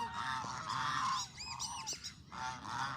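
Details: Hungry Canadian ducks: several birds give harsh, nasal honks in a dense chorus, with higher squeaky rising notes in the middle and a renewed burst of honking at the end.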